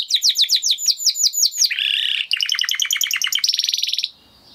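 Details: Spanish Timbrado canary singing, the original breed nearest the wild bird: quick downslurred chips, a low rolling warble, a fast metallic trill, then a high steady ringing roll that stops abruptly.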